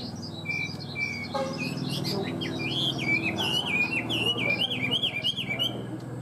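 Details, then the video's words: Well-tamed Chinese hwamei delivering a lively song of bright, bouncing whistles that rise and fall in a zigzag pattern, repeated rapidly, over a low droning background. "Chim họa mi thuần hót tốt"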